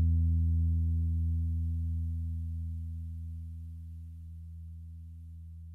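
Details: No animal sound; a low, steady hum slowly fades over several seconds.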